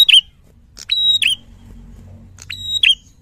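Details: Red-headed tit singing loudly and frequently, as on a clear training recording for songbirds: three shrill phrases, each a sharp click followed by a high, steady whistle ending in a quick dipping twist, spaced about a second apart over quiet low hum.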